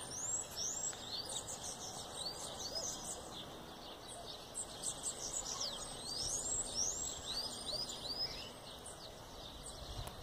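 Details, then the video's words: Bananaquit song, a long busy stream of very high, thin, curving squeaks and buzzy twitters, delivered in overlapping bursts for about ten seconds over steady faint background noise. "Mudinho de macaíba, sibite canela de fogo,sibite sebinho, sibite cabacinho."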